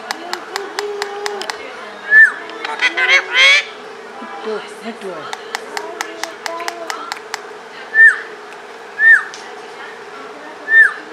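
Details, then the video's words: A pet parrot talking in Pashto gives a burst of speech-like chatter, then short rising whistles a second or two apart, over steady rapid clicking. "pathan tota, talking and whistling."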